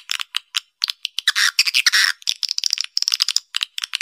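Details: Lure call for swiftlets at a nesting area: clusters of short harsh chirps and clicks, with a longer buzzy, scratchy burst in the middle.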